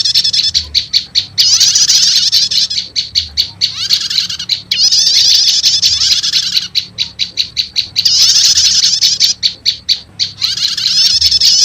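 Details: Lure sound of prinias, prenjak lumut mixed with prenjak setater, tested for quickly calling wild prenjak lumut: series of piercing rapid chirps alternating with long, dense buzzy trills, faint hum beneath.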